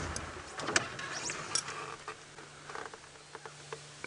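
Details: A vehicle idles with a low steady hum, broken by scattered clicks and mechanical rattles; no animal calls stand out.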